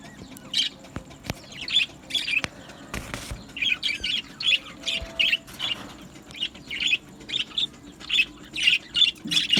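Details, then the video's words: Budgerigar colony in an aviary chirping steadily, a run of short bright warbled notes repeated about every half second, with occasional clicks and wingbeats against a low hum. "Beautiful Budgie singing and chirping sounds | Budgie parakeets sounds"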